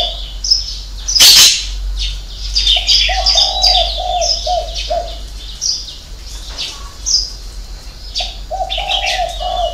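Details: Spotted dove giving a six-note coo in the style called hậu 3: low hollow cooing phrases in two bursts, mixed with loud high chirps and twitters of other small birds and a sharp noise near the start.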